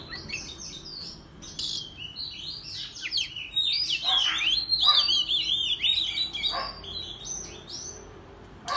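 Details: Oriental magpie-robin performing a competitive song in the countryside, tail fanned, with abrupt clicks and slurred notes building to a long wavering warbled trill, then scattered chirps.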